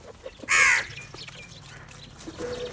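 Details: Crows gathering and squabbling over food: one loud, harsh, rasping caw lasting about a third of a second, followed by faint background chirps and a soft low rumble.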